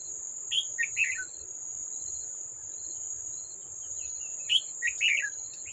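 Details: Wild red-whiskered bulbul at a trap, fighting a decoy bird, recorded 18 July 2024: short chattering bursts of slurred notes in two groups, over a steady high insect whine and repeated short ticking pulses.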